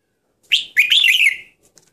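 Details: Red-whiskered bulbul singing a brief, bubbly warbled phrase about one second long: a sharp opening note, then a fluttering run of liquid, slightly falling notes, with a couple of faint ticks afterwards.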